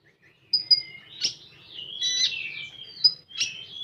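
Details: Common iora delivering 'tembakan' song: two quick high pips, then a long run of slurred, sliding whistles broken by scratchy bursts, ending on a sharp note and a falling whistle.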